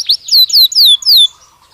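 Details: Belgian canary used in stimulus training to encourage singing gives a brief series of four clear, high whistled notes, each sliding downward, in under two seconds.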